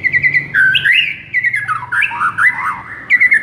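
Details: White-rumped shama masteran for luring and rousing a sluggish bird: fast, varied whistled phrases with quick trills and swooping notes, delivered almost without pause.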